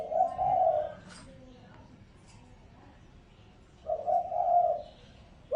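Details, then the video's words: Decoy spotted dove lure call: a low rolling coo opens, then after a quiet gap with faint background murmur comes a stuttered phrase ending in a longer coo, and a final note is cut off. "Tiếng chim cu gáy mồi mp3 kích bổi"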